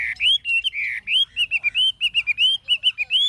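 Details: Wild-caught old Chinese hwamei, kept caged, with a true forest-style voice: loud clear whistled notes, mostly short rising and falling slurs, delivered in a quick, uneven series of about a dozen phrases with brief gaps.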